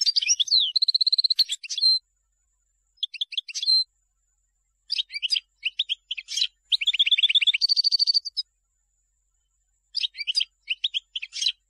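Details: European goldfinch song for teaching young birds: twittering bursts broken by short silences, with flat buzzy trilled notes held near a second each and sharp chips between phrases.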